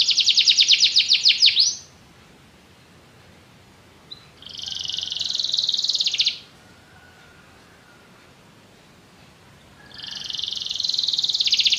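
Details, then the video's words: Canary singing in bursts: a rapid buzzy trill of high notes for nearly two seconds, a pause, a rolling warble around the middle, another pause, then a further fast trill at the end. "Canary bird | o canário canta muito bem"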